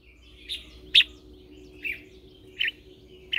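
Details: Red-whiskered bulbul lure bird singing in morning training to call other birds: short separate whistled notes every half second or so, one loud sharp note near the start, with a constant low droning hum beneath.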